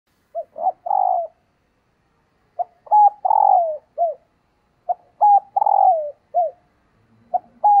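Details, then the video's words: Female spotted dove calling to stimulate males: three-part phrases of short hooting notes around a longer, downslurred coo, repeated about every two and a half seconds, with silent gaps between. "Tiếng Chim Cu Mái Kích Trống"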